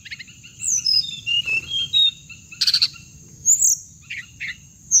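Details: Hồng hạnh bird recording used as trapping playback: a series of bright descending chirped notes, then a short harsh buzzy burst and scattered high twitters, with a constant high whine behind.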